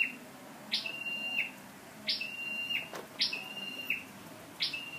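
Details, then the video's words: Scarlet-backed flowerpecker serving as a lure bird, 12/10/14: four clear calls in five seconds, each a sharp rising note dropping into a flat piercing whistle, with a single faint tap between them. "Chim sâu đầu đỏ mồi"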